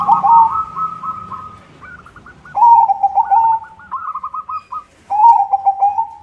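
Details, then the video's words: Active white zebra dove song meant as a lure for other doves: rolling, bubbly coo phrases in bursts about every two and a half seconds, alternating with a higher stuttered trill, suggesting two overlapping singers. "SUARA PERKUTUT PUTIH GACOR irama bagus, untuk pancingan semua jenis perkutut"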